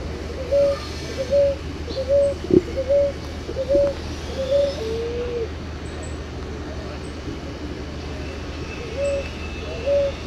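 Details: Ruddy ground dove song: a steady chain of short, mellow coos repeated about every 0.8 seconds, pausing briefly before resuming, over a constant low hum and a single sharp click.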